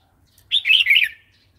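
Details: Wild-style song of a Red-whiskered bulbul, meant for coaxing new wild-caught birds and tutoring chicks: a single quick, liquid phrase of slurred whistles, falling slightly at the end.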